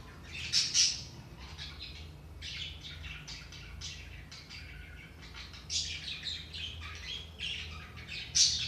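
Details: Budgerigars chattering for sluggish pet budgies: loud squeaky notes early, then a continuous run of rapid, scratchy twitters and buzzy warbles, ending on another bright squeal.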